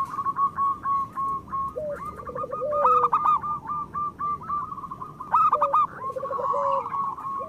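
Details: Zebra dove song from local birds, used as a prompting track for quiet doves. Short trilled low phrases ending in sustained tones sound under continuous higher rhythmic cooing notes.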